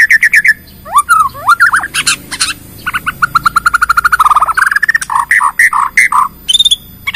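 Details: Lure song of a Bornean white-rumped shama, meant to make other shamas sing and showing its full repertoire. Fast clipped notes run into long rapid series of sharp repeated chips, mixed with slurred whistles and high ticks.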